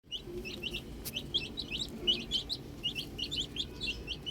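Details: Domestic chicks at play with a ball, a flock of them giving rapid, high, short descending peeps that overlap continuously, with a faint low rumble underneath.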